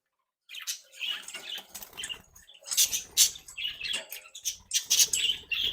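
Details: Lively captive budgerigar flock at play: continuous scratchy chattering and squawks with fluttering wingbeats and rustling throughout.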